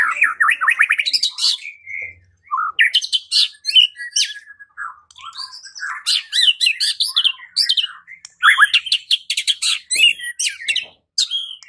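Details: White-rumped shama singing to provoke other birds into singing and fighting, a rapid, varied stream of chattering trills, high chirps and whistled notes almost without pause.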